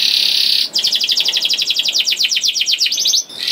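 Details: Song of a young canary, played as a lure to prompt other canaries to sing: a dense buzzy roll gives way to fast repeated descending chips, then a brief roll.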